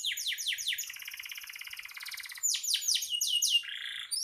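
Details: Canary song suited to tutoring other songbirds: sweeping falling notes, then a long soft buzzy trill, followed by louder repeated swoops and a lower rolled phrase.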